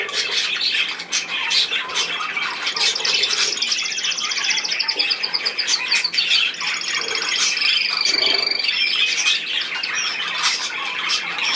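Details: Budgerigars in a group, a dense continuous chorus of high chirps and scratchy warbling, with a few longer whistled trills running through the middle.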